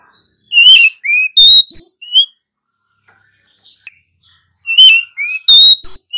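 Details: Oriental magpie-robin female in a cage, singing to get other birds singing. Two bursts of loud, rich whistled phrases with quick slurred notes, separated by a quiet stretch of soft twitters.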